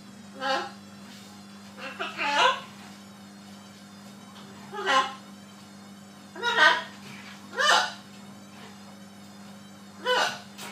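A macaw talks in short, hoarse, speech-like bursts, about six phrases spaced one to three seconds apart, over a steady low electrical hum.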